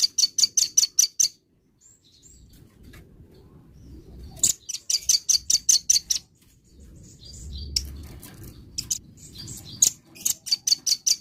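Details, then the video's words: A velvet-fronted nuthatch in the morning repeats short volleys of piercing high chit notes, five to eight per burst, with pauses between and soft low background noise. "burung rambatan gacor pagi hari"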